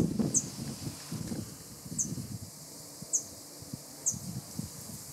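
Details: A juvenile cirl bunting at Skradin, Croatia, on 25 July 2017 gives four thin, very high ticking calls about a second apart, over low rustling and handling noise.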